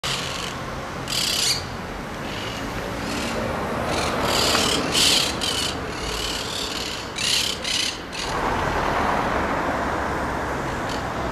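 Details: Monk parakeets in Brussels, Belgium, in March 2011 give harsh, grating squawks in short clustered bursts every second or two, over a steady hiss of background noise.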